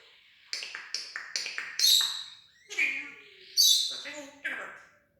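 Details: Pet parrot talking and mimicking sound effects: a fast run of clicking, tapping notes, then squeaky speech-like syllables and high shrill squeals.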